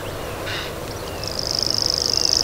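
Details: After a brief harsh note and a quiet pause, a common grasshopper warbler starts its high, rapid, insect-like reeling trill, which grows louder to the end.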